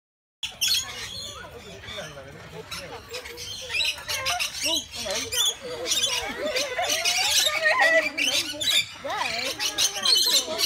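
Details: A Rainbow Lorikeet at Longleat Safari Park, unhappy at a child trying to touch its feathers, screeches almost nonstop with harsh grating squawks and chattering bursts two or three times a second; a voice may be mixed in.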